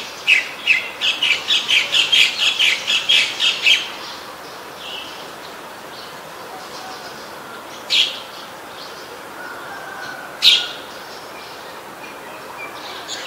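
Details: White-vented myna recorded in Ubon Ratchathani, Thailand, on 29 December 2019: a quick run of about a dozen sharp, squeaky chattering notes over four seconds, then a few isolated clicks and notes after a pause.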